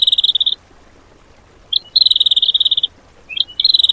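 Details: High, rapid, buzzy trilled bursts from a bird in 'tembakan' song material for cage-bird training. The bursts come in separated runs of roughly half a second to one second, with short silent gaps between them.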